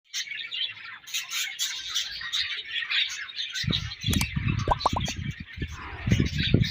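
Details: Budgerigar colony chattering nonstop, a dense mass of high, scratchy chirps and warbles, overlaid from midway by low knocks and thumps, like birds moving about or perches being struck.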